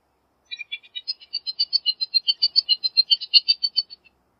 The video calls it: Bullock's Oriole Bird Singing, Sound, Calling, Chirp